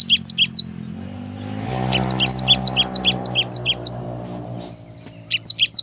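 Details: Cinereous tit (gelatik batu) singing bright, high two-note phrases repeated quickly, about three per second, over a low droning hum midway; a lure recording for young birds.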